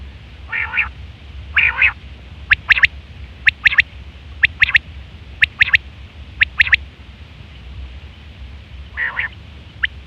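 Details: Female quail calling, recorded as a lure for quail trapping: two harsh nasal bursts open, then sharp clicking notes in pairs and triplets roughly once a second, with another rough burst near the end over a low steady hum.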